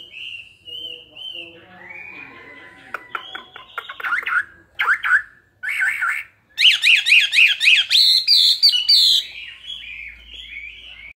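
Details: Caged Chinese hwamei, two years old, in fighting song: soft wavering whistles building into harsh, rapid stuttering bursts, then a loud fast trill of sharp repeated notes before tailing off.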